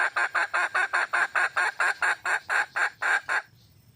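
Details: Calling for a male, a wild junglefowl hen repeats rough, nasal cackling notes about four per second for over three seconds before stopping abruptly.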